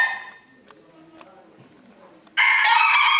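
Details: Rooster competing in a 2022 crowing contest at Villers-la-Ville: the fading tail of one crow, a quiet stretch with faint knocks, then a new loud, bright crow bursting in near the end.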